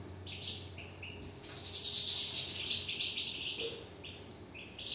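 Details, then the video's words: European goldfinch in a cage, in full song: a fast, dense run of liquid twitters and chirps with a brief louder buzzy flourish in the middle, over a faint low background hum. "نبدة من انسجام و تغاريد للحسون من داخل السلاكة"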